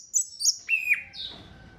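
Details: Short phrase from an orange-headed thrush, played to encourage other thrushes into song: high sharp whistles, two descending slurred notes, then a fading whistle over light background hum.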